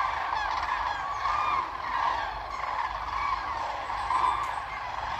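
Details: Large group of common cranes resting far off on coastal lagoon meadows by the Baltic Sea, Germany, heard from a bike path; many loud, rolling trumpet calls overlap continuously, with a low rumble of distant background noise.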